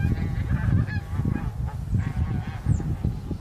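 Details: Bean geese, with one leucistic bird, in winter on 9 March 2021, recorded on a Sony A7M3. A few short nasal honks sound early on, then fade into a steady deep rumble.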